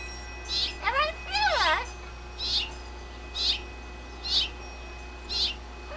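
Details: Pet blue-fronted amazon parrot outside on its playpen, reciting its vocal repertoire: a run of swooping, warbled whistles, then short bright squawked notes repeated roughly once a second against a faint steady hum.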